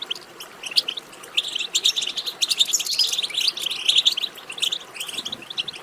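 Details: European goldfinch twittering, meant to stimulate singing: high, tinkling, slightly buzzy notes tumbling quickly and nearly without pause, loudest around the middle.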